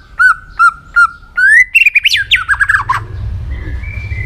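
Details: Varied song of a White-rumped shama for training other shamas: four evenly spaced whistled notes, a rising whistle, a fast tumbling warble, then soft high whistles over a low background rumble.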